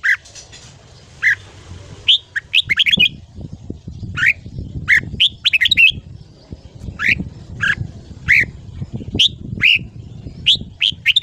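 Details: Morning singing of a red-whiskered bulbul, ché style, used to train and excite young birds toward long phrases; lively bubbly phrases of rising and falling notes come in steady succession, with a constant low background hum.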